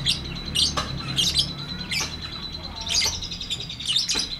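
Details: Long ngetik ngekek song of a lovebird, given as a training recording for lovebirds that have stopped singing: quick, scratchy, high chirp bursts in rapid succession, with a low background hum.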